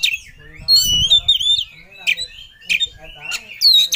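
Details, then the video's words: Oriental magpie-robin in full-emotion ngobra song, looking for a rival. Bright rising and falling whistles mix with harsh buzzy chips and a low thump near the start. "Kacer Ngobra Cari Lawan || Full Emosi Materi Joss"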